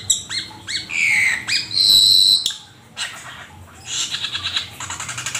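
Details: Asian pied starling song used as a master recording for training songbirds: loud whistled notes, rising slurs and a long steady high whistle, followed by harsher chattering phrases with buzzy bursts toward the end.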